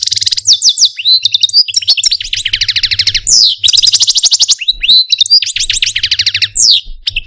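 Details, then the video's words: Pet Algerian Parva goldfinch in a cage delivering a complex, continuous song of rapid trilled series, sweeping whistled notes and harsh buzzy bursts, with almost no pauses. "Algerian Parva goldfinch, Chardonneret, Cardelino, Jilguero Stieglitz, Stillits LONG VIDEO (Pipeew)"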